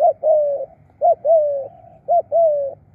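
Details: Calling spotted dove used as a decoy: a short, sharp coo, then a long, level, slightly falling coo, the pair repeated three times at roughly one-second intervals.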